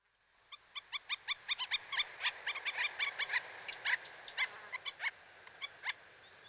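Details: Black-necked stilt giving a rapid series of sharp, harmonic yapping notes. They come about twice per second, speeding up and overlapping in the middle, then thin out toward the end over a quiet background.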